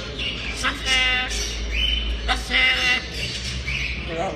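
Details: Grey parrot that talks and plays: harsh squawks mixed with speech-like, voice-toned phrases, rising and falling in bursts, with a low background hum.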